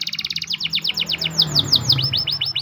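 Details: Champion canary training song in the morning: rapid repeated descending whistled notes, shifting to slower swooping upward-curving phrases, with a low hum beneath.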